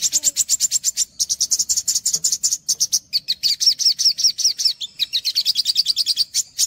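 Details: Olive-backed sunbird song recorded for training and luring young sunbirds: rapid, high, sharp chips run together in a fast unbroken stream, with falling slurred notes toward the end. No other sounds.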